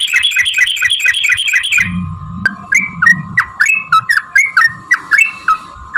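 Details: Yellow-vented bulbul giving a long, rapid fighting song used to provoke other bulbuls to sing: two seconds of fast, harsh repeated chattering notes, then short bubbly upslurred notes every third of a second over a steady background hum.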